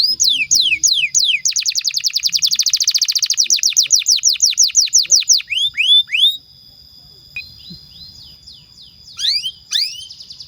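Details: Energetic canary song meant to prompt other canaries to sing and to teach young birds: a few sweeping slurs, then a fast, even rolling trill of high notes for several seconds, a pause, and scattered downslurred whistles.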